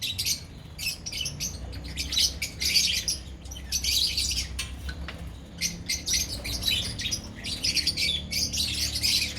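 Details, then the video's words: A lovebird colony keeps up busy high-pitched chattering, sharp squawks and tweets coming in dense bursts for several seconds, faint low background hum. "Beautiful Love Birds colony"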